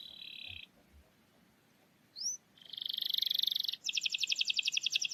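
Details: Song of a canary, played to prompt a silent canary to sing: a short high tone, then a sharp upslurred note, a steady buzzy trill, and a fast pulsed rattle over faint background hiss.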